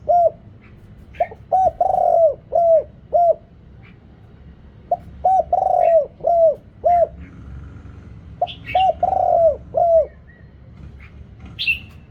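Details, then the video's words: Low, mellow cooing from a spotted dove used as a lure for wild birds, background noise removed: three repeated phrases, each an opening note then a drawn-out rolling coo and several short coos, with brief high chirps between. "เสียงต่อนกเขาใหญ่ เสียงใหญ่ เจ้าสมิงดำ สุดยอดคารมเรียกนกป่า"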